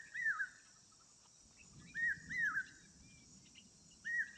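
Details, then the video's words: Asian koel in a natural setting: hooked, falling whistled notes, single then a pair then one more, spaced a couple of seconds apart, with continuous high insect buzzing and soft low rumble beneath. "कोकिळाचा आवाज"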